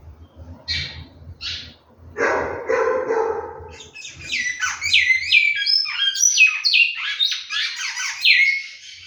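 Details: Captive-bred large-billed seed finch: after a few short chirps and a harsh broadband rasping noise, a loud rapid song begins, with ringing whistled notes sliding downward in quick succession for the last five seconds.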